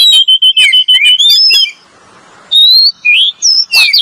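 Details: Oriental magpie-robins, male and female, on a lure recording. Repeated short, even whistles speed along, then rise into higher slurred notes. After a pause come loud, upslurred whistles and a harsh note.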